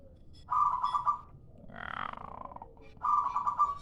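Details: Zebra dove of a local type giving its lure call: two quick rattling bursts of mid-pitched coos, with a softer, broader rushing sound between them, over a low steady hum.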